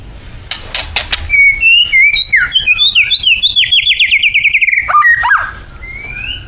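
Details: Thai white-rumped shama with a varied isian song: scattered clicks open into tumbling whistled phrases and a fast descending trill, ending with deep swoops and a rising whistle.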